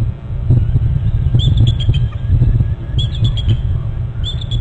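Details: Bald eagles calling at their nest territory on Hornby Island, one flying in from the right to a bare branch; brief high thin piping chirps in short bursts, with a strong low rumble of wind or traffic throughout.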